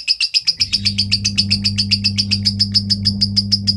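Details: Lovebird in Kepanjen, Malang, East Java, with a 'konslet' style song: a fast, evenly repeated series of piercing high chips, nearly four per second, backed by a constant low hum.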